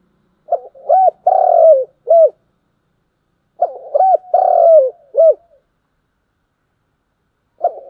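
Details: Spotted dove giving its morning call: two identical four-part cooing phrases about three seconds apart, each a short note, an arched hoot, a long burry descending coo and a final hoot, then the start of a third phrase.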